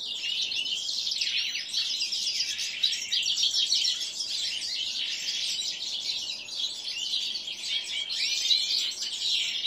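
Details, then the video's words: Caged common linnet × canary hybrids, seven months old and housed among goldfinches, pour out an unbroken, busy chorus of high chirps, trills and twitters over a faint background hiss. "Linaria cannabina x Serinus canaria (bastard ) Basztard po makolagwie .Bastaard kneu"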